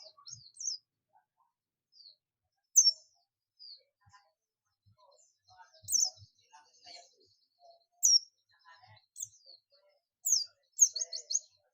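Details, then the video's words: Buxtomi-type Oriental white-eye calling companions in ngalas style, sending out scattered sharp high chirps and short clusters of twittering notes separated by gaps of silence, with faint low thuds. "pleci buxtomi ngalas ‼️ pleci lain pasti ikut ngalas"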